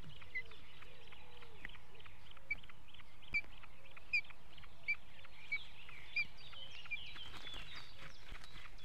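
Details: Osprey at its Estonian nest in 2018, giving a run of bright, clipped whistles at an even pace of a little under one per second, with soft lower warbling and light birdsong behind.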